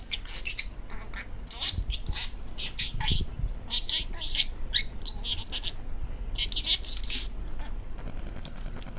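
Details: Male pet parakeet talking in rapid chatter: dense runs of short, high, scratchy syllables in quick bursts, with a brief pause near the middle, over a low indoor hum.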